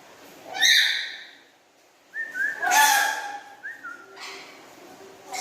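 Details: Black-capped lory kept at home, loud and melodious: harsh squawks alternate with short level whistles stepping down in pitch, over a faint low hum.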